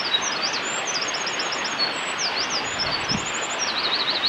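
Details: A Eurasian wren sings in Hinata Valley, Japan, on 27 March 2020, pouring out a fast, high-pitched song of rattling trills and quick up-and-down notes over a steady rushing background.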